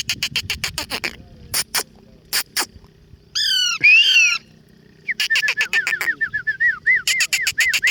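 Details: Parrots among flowers: rapid bursts of harsh, broadband clicking notes, a loud squawk with rich harmonics near the middle, then a run of short whistled chirps bending up and down, separated by brief pauses.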